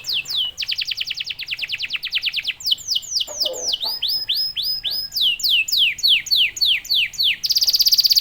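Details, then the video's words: Canary singing hard to provoke other canaries: quick runs of downward-sweeping whistles, then slower paired swooping notes, ending in a bright, buzzing high trill. "KENARI GACOR||038|| Jagonya memancing EMOSI kenari cepat bunyi."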